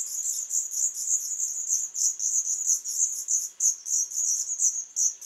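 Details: Black redstart nestlings of a third brood being fed by their parents, 21 July 2012; rapid, high, thin chirps repeated about three times a second in an unbroken series.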